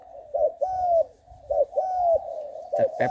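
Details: Young trained spotted dove, six months old, in Bang Kaeo Tai style, giving two full coo phrases, each a short knock followed by a long mellow gliding note, then a brief clatter.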